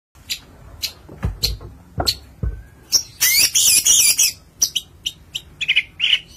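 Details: Long-tailed shrike, a kept songbird, singing a varied medley: scattered sharp clicks and chips, then a dense burst of harsh chattering notes, followed by rapid high chirps and short whistled slurs.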